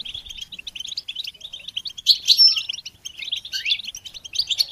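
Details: Goldfinch song for stimulating songbirds: lively stream of bright chirps and twitters, swelling around two seconds with a brief whistle, then fast chattering with a falling slurred phrase.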